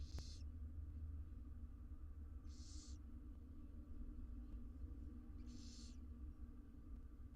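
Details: Wild barn owl nestlings in a nest box during feeding give hoarse hissing begging calls, three separate bursts spaced about two to three seconds apart, over steady low hum.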